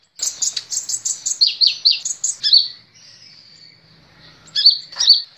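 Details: Kolibri ninja sunbird song used to train caged songbirds: rapid high chirps, slurred and dropping, tumble for two seconds, then a long faint thin whistle and two sharp rising notes near the end.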